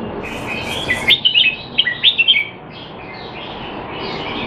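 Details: Caged red-whiskered bulbul kept in Singapore, in training and said to be out of form, recorded 25 December 2020: a quick burst of bright, warbling whistled notes sliding up and down, several phrases in a row over steady background hiss.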